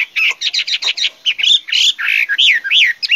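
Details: Loud, energetic Chinese hwamei song. A fast series of scratchy, jumbled notes leads into sweeping whistles that arch up and down in quick succession.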